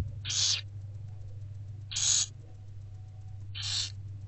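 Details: Barn owl chicks fed by their mother in daylight, owl box, 15 February 2024: three evenly spaced, noisy screeching hisses roughly 1.7 seconds apart, each under half a second, with a constant low hum beneath.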